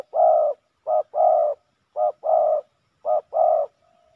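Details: Fighting male spotted doves at a Thai ground decoy. Three paired phrases of a brief coo and a fuller, rolling, slightly falling coo, evenly spaced. A faint low hum follows at the end.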